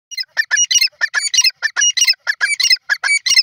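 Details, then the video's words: Grey francolin, known locally as irani teetar, calling: loud rapid series of harsh, squeaky notes in quick bursts, strong and repeated throughout with no background sounds. "grey francolin bird sound"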